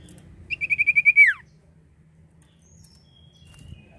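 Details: Common iora, sung as a lure for birds: a rapid series of about eight clear, even-pitched whistles running into a long falling slur, then quiet with light background noise.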